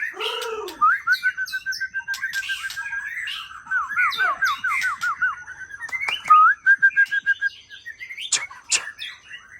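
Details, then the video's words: White-rumped shama from Aceh, a young forest bird, in rich varied song: bright whistles, long rapid trills of repeated notes and sweeping slurred phrases, broken by sharp clicks, with a steady high electrical whine behind. "Murai Aceh"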